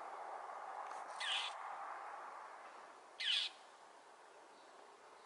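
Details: Northern mockingbird on Potrero Road, Newbury Park, voicing displeasure at a Cooper's hawk perched atop a power pole and repeatedly flying into it. Two short, harsh squawks about two seconds apart over a steady low rumble.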